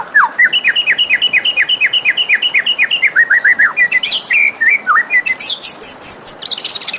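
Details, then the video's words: Melodious white-rumped shama in the morning, pouring out a rapid series of repeated down-slurred whistles, about two per second, shifting into higher, varied phrases and thin piercing notes. "suara merdu murai batu di pagi hari"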